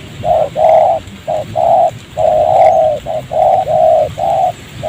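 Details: Wild spotted dove cooing while trapped near a decoy in a rubber plantation by a village. A rapid run of about ten mellow coos, short and long notes alternating with little pause.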